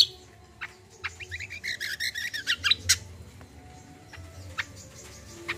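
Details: Common iora giving a lively gacor combo song, used as therapy to coax untrained birds to sing: a quick run of short, high chirped notes in the middle, with scattered sharp ticks before and after and a low background hum.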